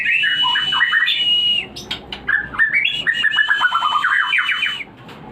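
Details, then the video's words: White-rumped shama, a bred bird, song used to stimulate breeding: rich whistled phrases sliding down and up, varied notes with short rapid chattering runs, loud and continuous. "Pancingan untuk burung Murai Batu Breeding / menaikkan birahi"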